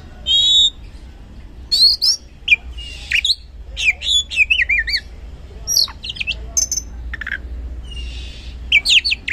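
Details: Oriental magpie-robin delivering loud 'gacor ngeplong' song, a lure for birds reluctant to sing: pure rising whistle, then mixed phrases of wavering trills, sharp chips and rasping buzzy notes with brief gaps.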